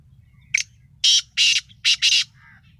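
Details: Black francolin, called kala Sindhi titar, giving its lively call: one short sharp note, then four loud harsh grating bursts in two pairs, all within about two seconds, with faint low rumble underneath.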